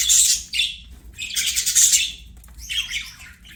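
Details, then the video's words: Budgies singing during play: three loud bursts of harsh, grating warble and squeaks, each about half a second to a second long. "BUDGIES SINGING PLAYING"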